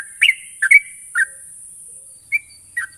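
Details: Sooty-headed bulbul used as a lure for fast ngropel singing: a few separate bright, slurred chirps, three close together then a pause before two softer notes, with steady hiss behind.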